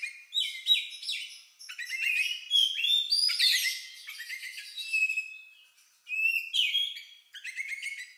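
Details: An Oriental magpie-robin sings an unusual song likened to a lovebird's, a rich, varied run of clear whistles, slurred notes and scratchy chatter in quick phrases broken by short pauses.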